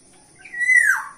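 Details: Black-naped oriole giving a clear song note used for luring birds: a single clean fluty whistle that holds steady and then slurs downward, brief and isolated against quiet.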